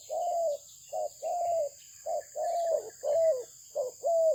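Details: Malaysian-bred spotted dove delivering soft, slightly wavering coos in short-long pairs, spaced unevenly around a second apart, with a constant high hiss in the background.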